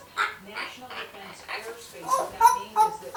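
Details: A one-year-old female African grey parrot chatters in short speech-like syllables, rising to clear whistled notes near the end, with her words mimicking household phrases.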